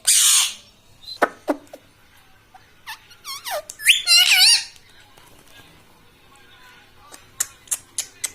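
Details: Talking pet parrot that repeats words like "mitthu". A noisy burst is followed by a run of quick, wavering, harmonic sounds in the middle, then a string of sharp clicks toward the end.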